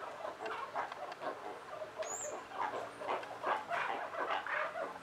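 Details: Dusky-legged guans at a fruit plate, two males fighting while a female approaches, give harsh, rapid clucking and cackling in dense, overlapping bursts; a brief high whistle from another bird cuts through once.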